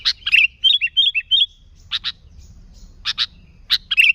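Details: Sooty-headed bulbul used as a lure for bulbuls: a sharp chip, four short bubbly whistled phrases in a row, then scattered loud, clipped chips with quiet gaps.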